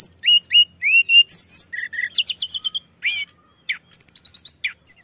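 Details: Pied bushchat pouring out lure song to attract other birds: paired upward-flicked whistles, rising slurs, a fast run of buzzy chips, one loud swooping note, and closing high trills.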